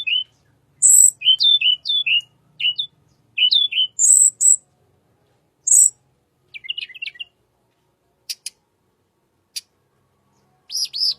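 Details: Song of a wild tledekan, described as calm-sounding, used as a lure: quick paired whistled notes, each a short up-and-down slur, repeated in rapid series, with scattered high thin chips and a brief twitter.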